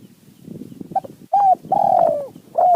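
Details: Spotted dove calling in the wild toward a decoy in high mountain forest: a brief coo, a curved coo, a long sliding drawn-out coo, then another curved note, over soft rustling.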